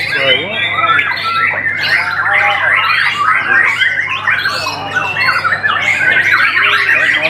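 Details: White-rumped shama singing: a rich, fast run of varied whistles, slurred notes and harsh squawky phrases, loud and continuous, with a low steady hum beneath.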